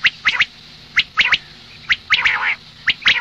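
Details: Female quail of the common species calling in the morning. Crisp, scratchy double notes repeat about every second, with one longer warbling rasp near the middle, over a faint hiss.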